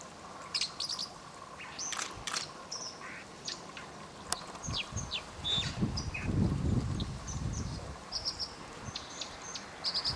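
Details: White-throated dippers fighting over territory in the Thin river at Warby, France: sharp high zit-like calls scattered through the clip, with splashing bursts and a broad rush of water around the sixth second.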